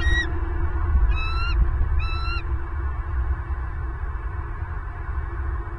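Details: Bald eagle at its Southwest Florida nest, filmed by a live camera on 30 November 2022 as the first egg appeared: three short, high, stuttering piped bursts near the start, then only a constant low rumble.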